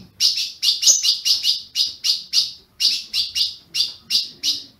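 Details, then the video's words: Ultramarine grosbeak from Brazilian captive stock gives a steady stream of bright, high chips, about three per second, with one short break, meant to get a caged bird going. "Azulão piando, 30 min. para esquentar seu azulão"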